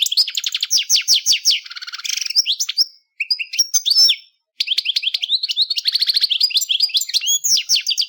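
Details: Continuous European goldfinch song: fast liquid twittering and tinkling notes, a brief buzzy rattling section, thin drawn-out whistles, a short silence, then another long run of rapid bright chirps and trills.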